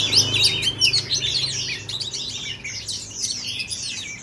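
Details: Oriental magpie-robin singing in Ho Chi Minh City, Vietnam, on 18 April 2021: rapid tumbling phrases of clear whistles and buzzy chirps, some rising and falling, several notes a second, over a low background hum.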